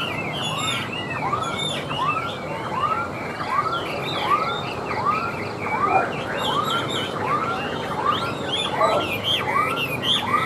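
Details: Tame, hand-carried caged Chinese hwamei singing while set on a table: a steady series of arched, whistled notes repeated about once a second, with higher twittering phrases running over them and a constant background hiss.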